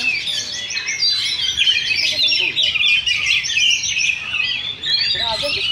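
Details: Oriental magpie-robins at a Sunday practice singing contest in Sindanglaut, session two: dense, overlapping whistled and scratchy phrases run without pause, with quick rising and falling notes and soft voices in the background.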